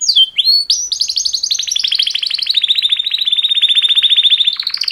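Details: Two males' canary mating song: opening swooping whistles lead into a long, fast, evenly pulsed trill that holds steady in pitch, then lifts at the end.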